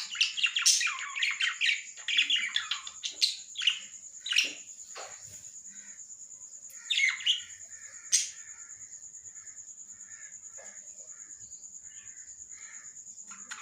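Lovebirds give harsh, shrill squawks and chattering chirps in quick bursts, then fall quiet.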